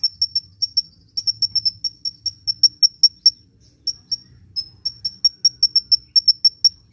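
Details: Energetic sunbird singing, used to lure birds and coax reluctant ones into song: thin, piercing high tsip notes repeated steadily in loose runs, nearly continuous, over a soft low background hum.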